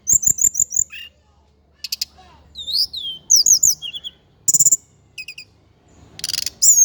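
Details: Tledekan gunung, the Indigo flycatcher of Java, opening with five rapid repeated high notes, then swooping slurs, a buzzy pulsed burst and clipped chirps, with a faint low hum underneath.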